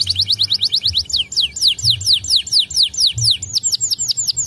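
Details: Song of white canaries, made of rapid repeated downward-sweeping whistles, first quick and tight, then slower and longer, ending in a rolling high trill; faint low hum in the background.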